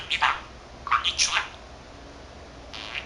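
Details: Pet male budgerigar, 13 months old, chattering to himself in mimicked Korean and Japanese words; a few short scratchy, raspy bursts with quiet gaps between them.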